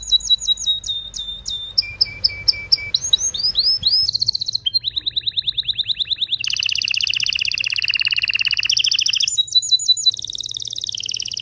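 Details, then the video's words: Strong canary song to stimulate mating: changing tours of sharp whistled notes, a steady tone, rising sweeps, a falling-note trill, then long dense buzzy rolls and clipped repeated phrases. "تغريد طائر الكناري هائج , لتجهيز الاناث و الذكور للتزاوج والغناء"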